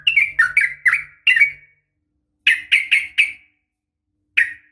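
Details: Female yellow-vented bulbul calling a male, fighting type: clusters of loud, harsh, downslurred chirps in groups of three to four, separated by silent gaps.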